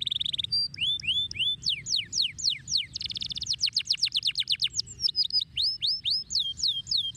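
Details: Canary song in fast repeated phrases: sharp descending sweeps, rolling trills and clear whistled notes delivered at about four notes per second, bright and high-pitched over faint low hum.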